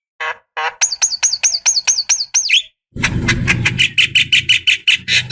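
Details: Javan myna female calling a male, played as a decoy: a rapid series of looping whistled notes, then repeated squeaky chirps over a low rumbling background.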